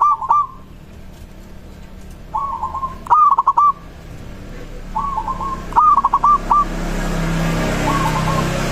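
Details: Local zebra dove song said to make other doves answer straight away: paired phrases of a soft coo followed by a sharper pulsed stutter, repeated, with a rising rush of broadband noise toward the end.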